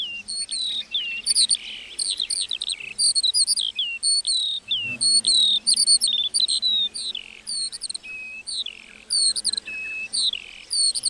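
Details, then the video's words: A lark keeps up a long, unbroken song in a meadow: high chirps, rolling trills and sliding whistles tumbling one after another for the whole stretch. "Singing lark in the meadow"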